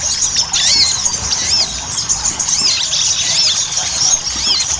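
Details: Ruby-cheeked sunbird used as a lure for song, gacor ngobra style: shrill, high arched whistles recurring roughly every second over a constant bed of fine twittering.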